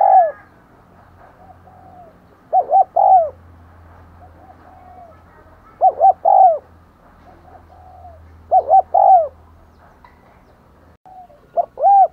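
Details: Spotted dove kept as a decoy to lure wild doves: phrases of two quick coos and a longer falling note, repeated every three seconds with softer coos between, faint low hum beneath.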